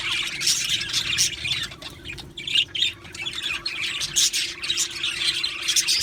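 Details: Pet budgies in a colony aviary: pulsing waves of squawky chirps and warbles, several louder bursts standing out from the crowd, separated by brief quieter dips, over a faint constant hum.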